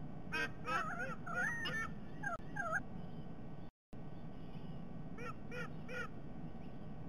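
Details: White-bellied sea eagles on a nest camera in Sydney Olympic Park, Australia, 22 October 2021, during a shared breakfast: bursts of harsh, honking notes with wavering pitch, a quick run of several, then a pause and a second shorter series, over steady low background rumble.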